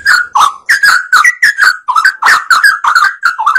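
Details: Sooty-headed bulbul in lively, vocal form, its song used as a lure to draw other birds into singing: short bubbly whistled phrases near one to two kilohertz, about three per second, each with bright ringing overtones, no other sounds.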